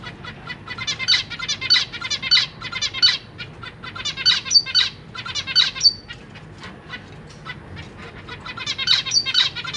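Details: Zebra finch babies and parents in a cage, young recently out of the nest: bursts of high, crisp chirps in quick clusters, pausing between bursts, with a quiet low hum underneath.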